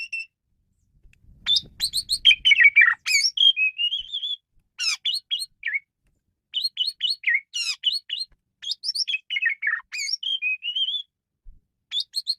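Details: Varied song of a male Asian pied starling, played to lure and train birds: long runs of squeaky whistles, rising and falling slurred notes and harsh chirps delivered in rapid phrases with brief gaps.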